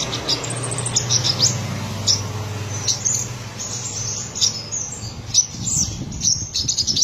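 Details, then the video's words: Buru olive-backed sunbird, subspecies buruensis, with a black breast, delivering trotolan song: continual high, thin ticking notes and brief upslurred whistles over a persistent low hum. "Sogok Ontong/Kolibri Sriganti Trotolan Dada Hitam gacor"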